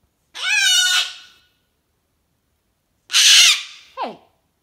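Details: Pet cockatoo indoors with its owner, giving two loud, harsh, drawn-out screeches about a second long, the second ending in a short falling squawk; the owner then tells it off for yelling.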